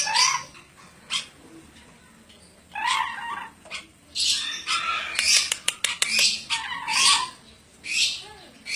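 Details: Ornate lorikeet making noisy, hissing screeches and rapid scratchy chatter in uneven bursts, with short ticking sounds between calls.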